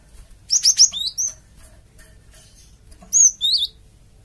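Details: Java sparrow calling to provoke a flock into answering; an opening run of five high chirps stepping downward, a pause, then three more bright chirps, the last lower and buzzier.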